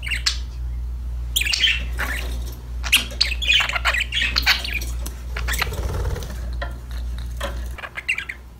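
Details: Budgerigars chirping and squawking in a rush of harsh, squeaky chatter during the first half, then the calls thin out to a few soft chirps against a low rumbling background.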